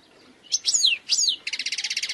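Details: Wild European goldfinch: two sweeping, descending whistled notes followed by a quick run of evenly spaced, buzzy ticking notes.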